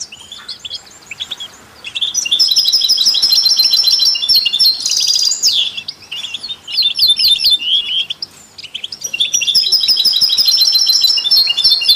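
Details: Melodic, complex European goldfinch song used to encourage other songbirds, with canaries and mules: long, bright twittered phrases full of fast trills and buzzy notes, interrupted by two short quieter gaps.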